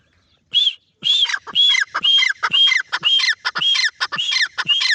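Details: Francolin calling loudly at close range: harsh, squawky notes in tight rhythmic phrases, about two per second, each with a bright ringing tone and a falling tail, after a short silence at the start.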